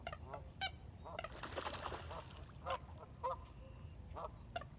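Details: Sunrise on the Colorado River at Lake Havasu, Needles, California, April 12, 2021 at 6:16 AM, iPhone 7 recording: loud, separate nasal duck quacks with several callers overlapping, over a low rumble of water and distant engines.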